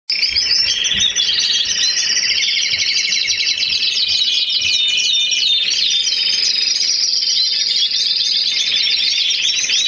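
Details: Female canary feeding her young; loud, dense, high-pitched twittering and rapid chirps run continuously throughout, overlapping voices with no pauses.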